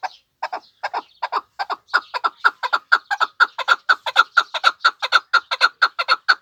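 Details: Chukar partridge of the Pamir starting with a few hesitant clucks that build into a regular, rhythmic chain of loud chuk notes repeated roughly twice per second.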